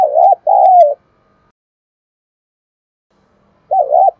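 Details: Spotted dove coo used for luring wild doves: two loud, low, throaty phrases, a short note then a longer falling one, followed by quiet and another phrase starting after nearly three seconds.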